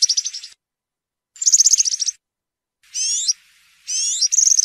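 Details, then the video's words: European serin singing in the field style (cante campero) used to tutor young birds: two bursts of rapid high jingling notes, then two phrases of looping, sweeping whistles rising and falling, with brief pauses between. "𝗩𝗘𝗥𝗗𝗘𝗖𝗜𝗟𝗟𝗢 𝗖𝗔𝗡𝗧𝗔𝗡𝗗𝗢 𝗖𝗔𝗠𝗣𝗘𝗥𝗢"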